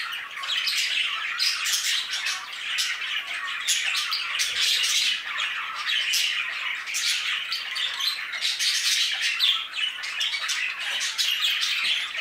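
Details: Many budgerigars chattering nonstop in an aviary, a busy wash of warbled chirps, harsh squawks and rapid clicks that keeps an even loudness throughout.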